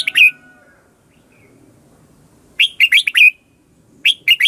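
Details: Red-whiskered bulbul singing competition-style lure song used to train birds and stimulate other bulbuls to sing: one short whistled burst, then a pause, then quick clusters of sharp, bright notes in rapid series; faint low background murmur between phrases.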